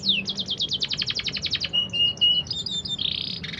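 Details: Canary singing a fast, varied song: rapid repeated trilled notes, then a sweeping phrase, steady high whistles and a buzzy high rattle, all bright and high-pitched.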